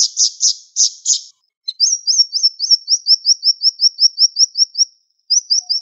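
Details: Siri-siri bird in sharp 'tembakan' bursts at tight speed: several buzzy rasping notes, a short pause, then a rapid series of thin, upslurred high whistles repeated evenly, ending with a fresh short run.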